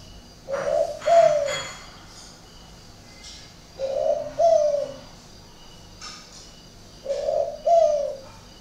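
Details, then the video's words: Caged spotted dove at a northern Vietnamese breeding garden in Ba Vì, Hanoi, with an odd cooing style. It repeats a two-note phrase three times at steady intervals of about three seconds, each a raspy note then a longer, softer one. Faint clicks sound in the background. "cu gáy độc lạ hoắc"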